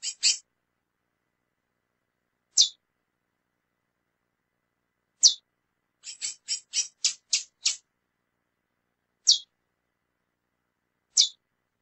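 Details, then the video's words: A calling female lesser seed finch: spaced high, dry chips that break into a quick run of about seven notes near the middle, then return to single chips every couple of seconds. "Fêmea de Curió Piando e Chamando Muito"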